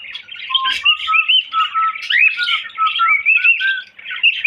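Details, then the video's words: Cockatiel whistling low, level tones interleaved with higher rising slurs and chatter in a lively, unbroken phrase. "Bullo Cocktail Parrot Whistling"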